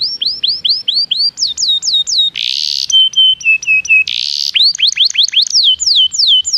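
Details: Canary lure song to set other canaries singing: tours of high sweeping whistles broken by two harsh, buzzy bursts, then resuming with rapid falling notes.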